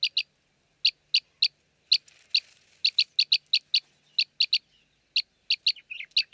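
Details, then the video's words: Arabian green bee-eater in Jeddah, Saudi Arabia, a common breeding resident: short, high chirps repeated in pairs and runs, several per second with brief pauses, ending in a few softer, lower twittery notes; no other sounds. "Arabian Green Bee Eater"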